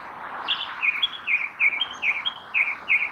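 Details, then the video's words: Song thrush singing: a clear series of short, bright phrases, each a brief rising-and-falling note, repeated about every third of a second, with a faint hiss in the background. "Zorzal común CANTANDO 4K (Turdus philomelos) Song thrush, Tordo bottaccio, Grive musicienne"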